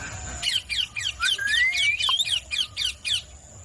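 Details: Green parrot producing a fast, steady series of short, harsh squawks, about four per second, with a thin rising whistle running beneath the middle of the sequence.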